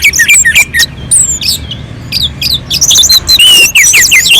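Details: Mountain-slope orange-headed thrush singing to provoke other birds to sing: quick, jumbled sequence of sharp whistles, squeaky slurs and downward sweeps, about two notes per second, fairly irregular, over a low steady hum.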